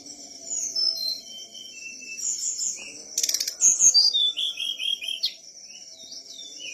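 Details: Whistler singing actively, with high whistled phrases, some sliding and descending, and short trilled runs against a steady high ringing tone and a low hum; a dense burst of rapid clicking notes comes about midway.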